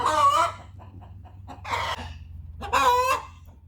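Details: Two backyard hens vocalizing to each other to announce that one has finished laying an egg; loud, harsh, drawn-out squawking calls, three bursts under a second each with pauses between, plus faint clucks.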